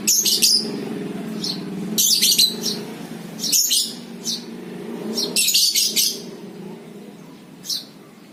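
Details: Lovebird chatter, ngekek style, meant to provoke other lovebirds: clustered bursts of shrill high chirps every second or two, separated by brief pauses, over a low rumbling hum.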